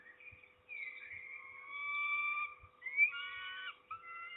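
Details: Peregrine falcon at its nest in Trzebież, Poland, recorded 29 May 2019 around midday during a food delivery; drawn-out, thin whining wails held steady, then a rising squeal and shorter repeated wails near the end.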